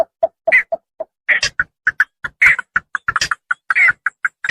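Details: Javan pond herons of the rice fields, played as a lure to draw birds in for hunting: a few spaced low croaks, then a dense chatter of harsh, clipped squawks and rasping notes, many callers overlapping.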